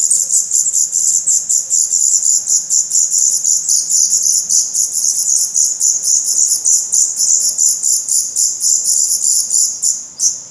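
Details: Nest of Black redstart chicks, Portugal, mid-May 2020, young with opened eyes and reddening tail feathers, filmed close up; a continuous, intense chorus of very high, hissing-shrill begging notes pulsing about four times per second for ten seconds, fading at the end.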